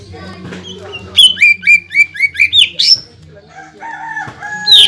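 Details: Greater green leafbird in full song, played to provoke other leafbirds into an agitated response: a fast run of loud, down-slurred whistled notes, then rising and falling whistles, over a low background hum.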